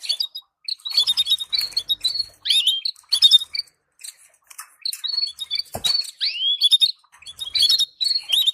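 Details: Canary song for stimulating breeding pairs: busy, high chirping notes and quick rising and falling whistles, strung into fast phrases separated by short gaps, with nothing else audible.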